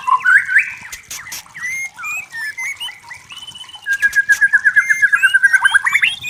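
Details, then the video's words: Forest-recorded white-rumped shama song, a rich mix of whistled phrases and short chips, ending in a fast warbling trill of rapidly repeated notes. "Suara Murai Batu Hutan Jernih Alami Jernih Shama bird"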